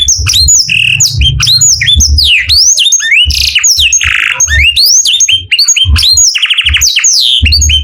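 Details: Morning song of a canary: a dense string of varied rising and falling whistles, short buzzy trills and sharp chirps, with a low hum in the background.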